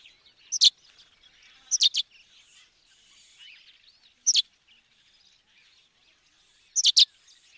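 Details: In Africa, a sparrow repeats short doubled chirps at uneven gaps of one to three seconds, four bursts in all, over steady twittering and rustling background noise.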